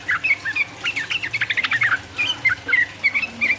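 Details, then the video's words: Yellow-vented bulbul, 'ropel uplik uplik' style song aimed at provoking rivals; scattered whistled chirps with a quick chattering flurry in the middle. "trucuk gacor ropel uplik uplik merangsang lawan"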